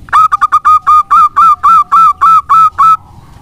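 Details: Local zebra dove in full song, kept as a prompting bird to draw other doves into singing; a rapid run of short, clear, ringing coo notes, the first few quick and stuttering, then evenly spaced, about a dozen in all.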